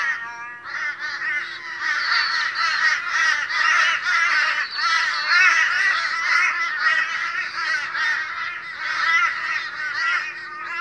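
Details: Flock of boisterous Australian crows at a morning gathering, many harsh, nasal, honking caws overlapping without pause, a dense uneven chorus over about eleven seconds with a faint steady hum below.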